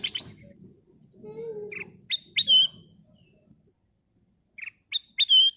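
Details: ['Kutilang emas bulbul giving a lure song: short clear whistled notes with a sharp upward flick, then a falling slurred whistle. The phrase repeats after a pause, over a faint low rumble.']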